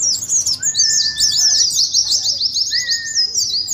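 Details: Oriental white-eye singing ngeriwik, played as a lure and contest simulation: a continuous, very high, busy chatter of quick chirps over two separate long, level, lower whistles.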